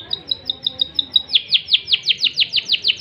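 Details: Crested canary (kenari jambul) singing loper cengkok gurih: quick high whistled notes repeated evenly, then switching to louder downslurred chirps about six per second, steady and rhythmic.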